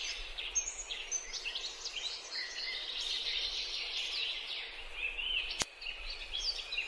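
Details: Chestnut-tailed starling (Sturnia malabarica) in Bogor: a dense, continuous chatter of high squeaky chirps and short whistles, likely several birds together, with one sharp click near the end.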